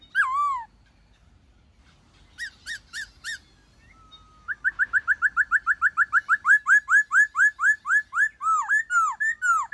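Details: White-cheeked laughingthrush wild-type forest song used to coach wild-caught birds: loud, clear down-slurred whistles, then a rapid run of about twenty bright, evenly spaced notes that swell in strength.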